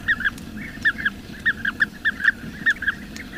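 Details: Bee-eater in the wild, locally called krik-kirik, giving clipped, slightly rolled double chirps about every half second against a constant low hum.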